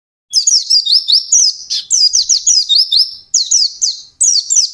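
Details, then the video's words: Rapid, high-pitched white-eye song sung intensely, rolling bursts of sweet slurred chirps and short trills following one another almost without break over nearly five seconds. "SUARA BURUNG PLECI GACOR NGALAS CEPAT"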